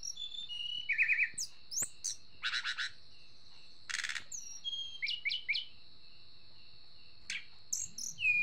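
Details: Agitated blood-breasted flowerpecker: a mix of thin high chips, short buzzy bursts and quick descending notes, faint against a constant high tone in the background.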